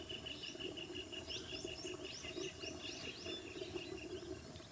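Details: Verditer flycatcher (Eumyias thalassinus), India, calling a quick run of high, thin, slurred notes that rise and dip, over a steady insect-like whine and a low background hum.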